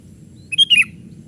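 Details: Young sooty-headed bulbul calling while playing among branches, used as a lure for wild birds: a brief burst of three or four bright, quick chirps, sharply rising and falling, over a faint low rumble.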